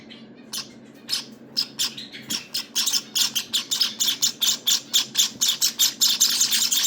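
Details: Java sparrow nestlings on day 18 begging: after a quiet start, high, hissing chirps build into a rapid, steady series of pulses, roughly two per second and quickening toward the end.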